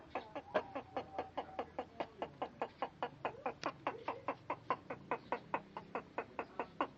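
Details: Bangkok rooster making an unusual sound: a fast, steady series of short, harsh clucking pulses, about two to three per second, with faint tonal notes woven between them throughout.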